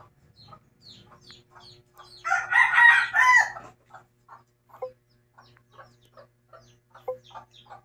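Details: Domestic chicken, a mother hen with chicks: soft clucks and thin descending chick peeps, interrupted midway by a loud, harsh crowing burst of about one and a half seconds, then steady quiet clucking and peeping again over a low electrical hum.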